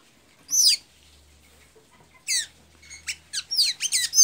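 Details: Pipira azul (blue-gray tanager) from Santa Inês, Maranhão, Brazil, singing two isolated shrill down-slurred squeaks, then a quickening run of squeaky, falling and chirping notes near the end. Faint low hum underneath.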